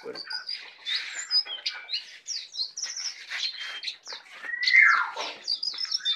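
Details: Tame captive Brown prinia singing in full, a rapid jumble of chirps, slurred whistles and buzzy notes, loud and varied without pause.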